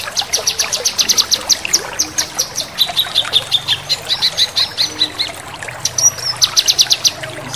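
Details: A male Lemon-bellied White-eye sings sharp, high chattering trills in fast bursts of rapid notes, with brief pauses between runs and faint background hiss.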